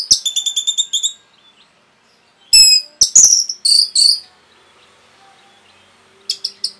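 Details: Orange-headed thrush giving a rapid song meant to provoke other birds: a fast stuttering run of high, ringing notes, then a pause and bursts of sharp, buzzy high phrases, ending with short clipped notes.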